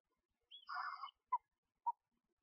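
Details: Screech owl family in a nest box as the mother feeds two tiny owlets a day or two old. A hoarse, raspy note is followed by two short, clipped chirps.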